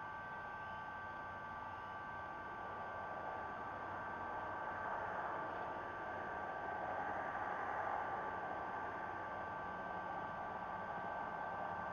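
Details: Steady static hiss with a faint electronic hum throughout, and no animal calls.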